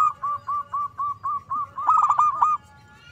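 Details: Zebra dove singing actively, used as a lure to provoke other doves: about eight short, even, mellow coos in a steady row, then a louder bubbling, rolling burst.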